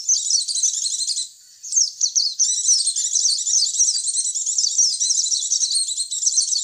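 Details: Pleci (white-eye) lure audio: nearly unbroken, very high, rapid twittering chatter, with a short gap near one and a half seconds before the dense stream of notes resumes.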